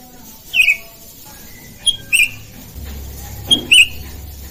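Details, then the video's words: Kutilang, the sooty-headed bulbul, with birds calling back and forth: three brief high twin-note chirps spaced about a second and a half apart over quiet background noise and a low hum. "Inilah suara panggilan burung kutilang saling bersahutan"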